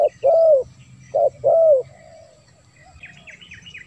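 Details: Spotted dove coos for luring wild doves: two short-long coo pairs, low and mellow, followed by a quieter spell where a small bird gives a run of rapid high chirps.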